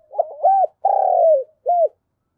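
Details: Spotted dove decoy calling wild doves at a morning session, giving one full phrase: stuttering low notes, an arched coo, a long drawn-out coo, then a closing short coo.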